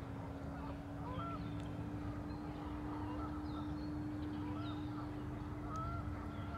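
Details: Scattered honks from geese on Warner Park Lagoon in Madison, Wisconsin, over a steady low hum and rumble of background noise.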